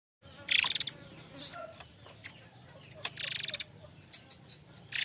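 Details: Murai air mancur singing actively, given as a lure sound for training other birds: harsh, buzzy rattling bursts of rapid repeated pulses, high-pitched, around half a second each, with a quiet pause between bursts and faint ticks.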